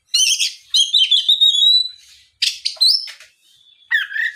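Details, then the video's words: Oriental magpie-robin singing a lively lure song meant to prompt other magpie-robins to answer and sing; harsh buzzy bursts followed by a long clear whistle sliding downward, then scratchy notes and a short rising whistle. "SUARA PIKAT BURUNG KACER GACOR NGEPLONG"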